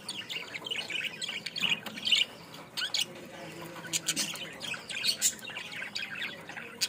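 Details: Bangladeshi budgerigar chattering steadily: quick high chirps, twittering warbles and clicking squeaks in irregular bursts, with a faint low hum beneath.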